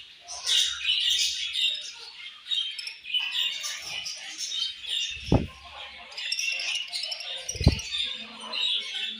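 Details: Australian budgie parrots chirping in a steady, high warbling chorus of overlapping twitters, broken by two sharp knocks and some low background murmur.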